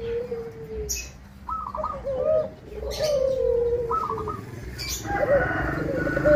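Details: Local zebra dove with a crisp voice sings to lure other doves. A long falling coo is followed by a stuttering trill and more drawn-out sliding coos, with brief sharp clicks and faint background hum.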